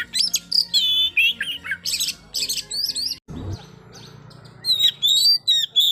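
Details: White-rumped shama singing to provoke a rival, varied whistled and harsh phrases, then a brief break with a low thump before loud looping whistles resume.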